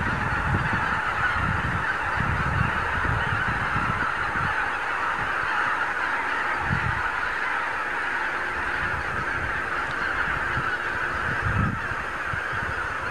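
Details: Thousands of wild geese gathered on pastures and fields in the Lower Rhine region at morning, filmed with a camcorder; sustained mass honking with repeated low gusts of wind.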